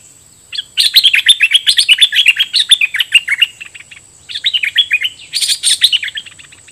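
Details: Caged decoy red-whiskered bulbul singing doubled song phrases at wild birds: two bursts of quick, bubbly chirping notes, dense and overlapping, separated by a short pause, with a steady high electronic whine behind.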